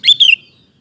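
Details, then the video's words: Singing Sooty-headed bulbul used as a lure for other males: a single quick bubbly phrase, a bright note then a slurred, falling whistle, with a soft low rumble beneath. "Kutilang Gacor Ampuh untuk Pancingan Maupun Masteran Burung"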